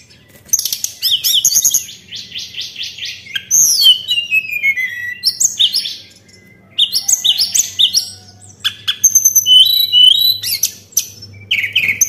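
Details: A white-browed shortwing lure song delivered as long, rapid, richly varied phrases of high chirps, trills and down-slurred whistles, with only short breaks between them.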